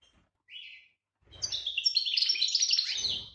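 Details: European goldfinch in breeding condition, 2018, gives a single slurred introductory note, then after a pause a rapid, high, jangling twitter mixing buzzy trills and bright liquid notes.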